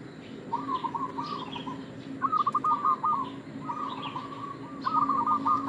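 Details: Local zebra dove in lure-call mode: rolling, pulsed coo phrases of about a second each, delivered four times with short pauses. A steady low hum runs underneath and faint higher bird notes sound in the distance.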